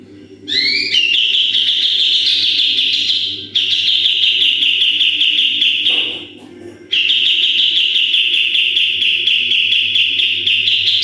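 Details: Sooty-headed bulbul used as a training model gives long 'tembakan' trills: a rising two-note opening, then extended rapid buzzy rattling, with a brief break and a muffled knock near the middle.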